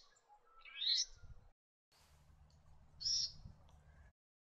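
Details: Leaden flycatcher giving two short, harsh, buzzy notes about two seconds apart, each rasping and slightly rising, over a quiet background with low rumbling noise.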